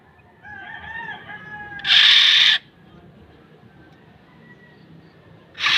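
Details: Black-naped oriole (kilyawan) producing a loud nasal rasp after soft whistled tones from a background bird; a second rasp begins at the very end.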